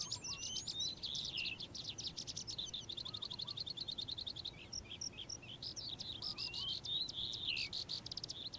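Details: Calandra lark (Melanocorypha calandra) singing in the morning, a fast, unbroken song of high chattering trills, clicks and squeaky whistles, with brief buzzy rattles mixed in, over a soft background hum.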